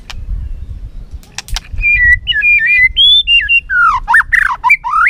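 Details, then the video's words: White-rumped shama singing competitively while flicking its tail, giving a string of clear whistled notes, some steady and some sliding up or down, that turn into quicker, richer swooping phrases toward the end over a soft low rumble. "Chòe lửa hót đấu, đập đuôi cực hay"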